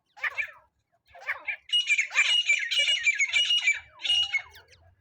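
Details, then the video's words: Francolin calling, used to lure birds into a net trap: two short harsh notes, then a long dense burst of grating, squawky calls with a ringing edge, and a final shorter burst. "teetar hunting sound"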